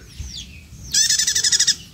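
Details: A wild-caught female prinia, captive almost a month and not yet settled, gives a short, buzzy, rattling call of about ten quick pulses in under a second, high and harsh, with faint background hiss.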